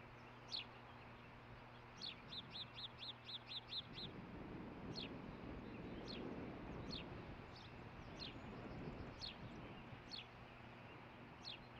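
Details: Osprey at its nest on the morning of 11 June 2015, between 06:48 and 06:58, watching for fish before one catches a fish. Sharp whistled chirps, including a rapid burst of about eight notes, then single notes roughly every second over low hum and wind rumble.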